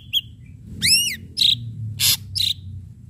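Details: Ashy drongo in full, active song with sharp strokes: a short high whistle, then a loud arched note stacked with bright overtones, followed by harsh buzzy bursts and a clipped rising whistle over a low background hum.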